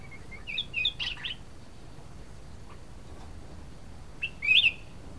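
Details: Cucak kuning, a bulbul, singing lively: a few quick bright chirped and whistled notes in a short burst near the start, then a pause and a single sharp twisting whistle near the end, against quiet background hiss.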